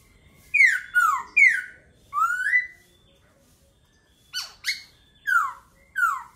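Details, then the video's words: Laughingthrush singing: loud, clear whistled notes sliding downward, given in short bursts of two or three with pauses, a silent gap mid-way, then four more slurred whistles; rich harmonics, quiet indoor background. "Khướu hót hay."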